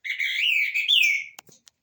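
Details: Rufous-bellied thrush (trinca-ferro de fibra) in the "igualando o rabo" style: one rich, slurred whistled phrase lasting over a second, ending in a falling note, then a few soft clicks.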